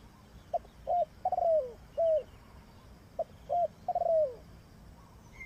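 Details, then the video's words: Decoy spotted dove calling twice in a row. Each phrase is a brief stutter, a rounded coo, then a longer purring coo that slips downward, separated by a pause of over a second. "Sound Of Spotted Dove is so good"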